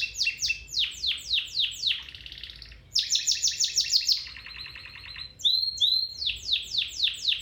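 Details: Domestic canary singing a song meant to train other canaries: bright chirps that sweep downward in fast series, buzzy rolling tours, then sharp upward whistles and more rapid repeated chirp phrases, all high-pitched and continuous.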